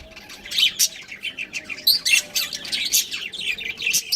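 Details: Chattering from a breeding pair of budgerigars, a fast jumble of sharp high chirps and squeaky warbles packed closely together over a few seconds.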